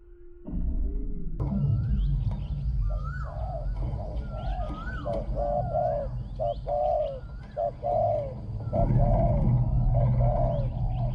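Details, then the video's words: Decoy spotted dove cooing to draw in wild doves, voice small and ringing; a steady run of short mellow coos over heavy low rumbling noise, with soft rising whistles of other birds behind. "ต่อนกเขาใหญ่ | เสียงเล็กก้อง คารม หนุนคู คูดีมาก"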